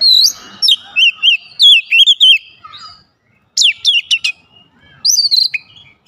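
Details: Oriental magpie-robin, called kacer, singing fill phrases that draw other kacer into song. Loud, quickly repeated whistled syllables with sweeping pitch are broken by a silent gap, followed by a sharp rising series and a last whistled burst.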